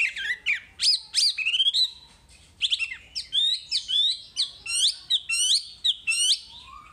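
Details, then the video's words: Wambi song from masteran material, a lively stream of high, sweeping chirps and slurred whistled notes in quick bursts, pausing briefly midway before resuming with repeated hooked phrases. "Masteran Wambi paling istimewa full materi"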